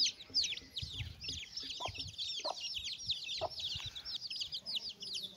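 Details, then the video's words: Hen with chicks while eating, with high, rapid chick cheeps throughout, a few soft hen clucks, and low background rustling. "Chickens and chicks eating sound"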